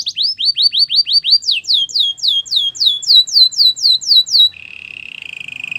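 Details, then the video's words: Belgian canary song meant for training canaries: loud repeated rising-falling whistled notes about four per second, a higher run of swept notes, then a soft low continuous rolling trill. "Belgian canary singing"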